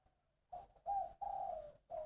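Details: Spotted dove singing in the style called "3 ròng giọng đồng": a run of low, mellow coos, one short, one longer, one drawn-out and a final coo starting, each steady in pitch, with a single spoken word heard just after.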